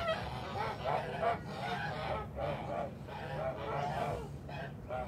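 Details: Kholmogory geese on a farm on 29 March 2021, a flock giving harsh nasal honks in overlapping bursts, several calls a second with brief pauses, low rumbling background throughout.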